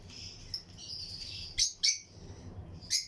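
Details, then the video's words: Lutino lovebirds in a colony aviary for breeding, among other birds. A thin high whistled note, then three loud, sharp shrill chirps spaced apart, over a low hum. "Lutino Lovebirds Breeding Colony Cage - Chirping and Relaxing Sound"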